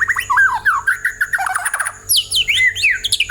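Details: Lure song of a white-rumped shama meant to get other birds singing: a rapid run of varied whistled and squeaky notes, swooping up and down without pause.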